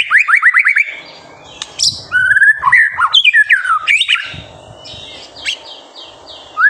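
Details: White-rumped shama singing vigorously as a master song to provoke young birds: a fast series of about eight rising chirps, then mixed whistles, harsh buzzy notes and descending slurs, ending in softer high chips.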